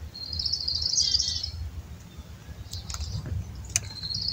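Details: Wild black-capped chickadees being hand fed; a buzzy, high note band lasts about one and a half seconds, then brief sharp chips and a short buzzy note follow, over low rumbling background noise.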